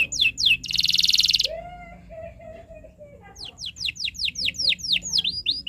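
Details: Young canaries' learning song from an adult canary: a quick buzzy trill, a low drawn-out whistle, then a rapid string of sharp descending chips about four per second.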